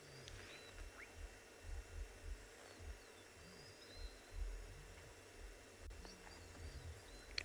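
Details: Common ostrich calling in the background on a sunrise safari, a deep roar easily mistaken for a lion: low, rounded booming notes repeated roughly every half second, with faint high chirps of other birds and steady ambient hiss.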